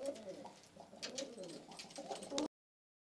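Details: Cooing Istanbul pigeons with hazel or red eyes: several overlapping throaty, undulating coos run through the whole stretch, with light rustles and clicks in a small room.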